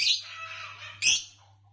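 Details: Green Fischer's lovebird, a color type noted for long-duration songs and favored in Indonesian bird song competitions, giving a harsh, buzzy high chirp followed by a second sharp squawky note with a low steady hum beneath.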